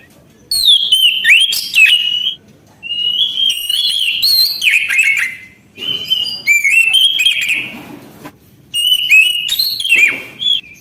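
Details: Orange-headed thrush singing steadily: loud, rich whistled phrases with fast slurred and warbled notes, delivered in bursts of about two seconds separated by short pauses.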